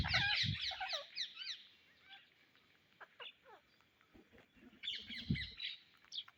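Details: Indian ringneck parrots looking for seeds chatter in a rapid burst of high, scratchy, rising and falling calls, then go quiet, with low thumps and a second shrill flurry near the end.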